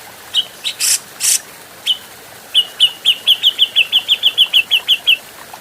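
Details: Training recording of an adult grey-cheeked bulbul: a few scattered harsh buzzes and clipped notes, then a fast, steady run of about fifteen short, bright, downslurred whistles, roughly four per second.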